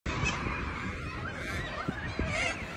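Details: Hundreds of white and yellow cockatoos converge on a sports field in Melbourne, Australia, possibly being fed, screeching without pause in a dense wall of harsh, grating, overlapping squawks over low wind rumble.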